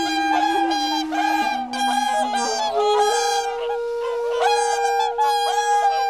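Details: Whooper swans on a misty, icy Lake Kussharo in Hokkaido, Japan, with mountains behind. A group gives loud, nasal, trumpeting honks in overlapping bursts over a steady background of sustained musical tones.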